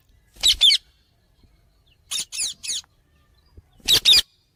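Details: Pet Indian ringneck parakeet playing with companions: three groups of short, harsh, high squawks, with two or three rasping notes in each group, separated by silence.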